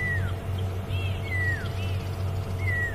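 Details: A pearl-spotted owlet calls during an evening safari drive in South Africa while impala are nearby: clear, downslurred whistles about every 1.3 seconds with softer upslurred notes between, over a steady low engine rumble.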